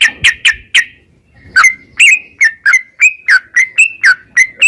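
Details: Yellow-vented bulbul singing gacor, ropel style, to stimulate other bulbuls: a few loud chirps, a short pause, then a steady run of slurred, dipping whistled notes about three per second.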